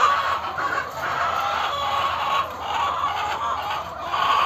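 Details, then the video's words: Layer hens in a crowded poultry farm shed in Rajshahi, Bangladesh, cluck and squawk in a loud, steady, overlapping din of mid-pitched calls. "দর্শক, কথা বলার মাঝে আমরা একটু মুরগিদের যে ডাক, চিৎকার, এইটুকু একটু শুনবো, আপনারা শুনুন।"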